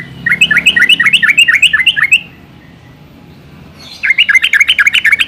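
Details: A Yellow-vented Bulbul (Pycnonotus goiavier) sings two rapid bursts of bubbly, chirping notes, about four per second, with a quiet pause between them.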